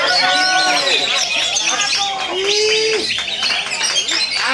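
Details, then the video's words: Greater green leafbird in a simulated song-competition recording used to train birds to sing aggressively: a dense, rich stream of fast chattering notes, slurred whistles and mimicked phrases, mostly high-pitched, with other birds calling alongside. "simulasi cucak ijo lomba"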